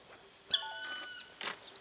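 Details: Wild black woodpecker in Hokkaido, Japan: one faint, drawn-out, harmonic-rich call lasting under a second, followed by a brief noisy burst.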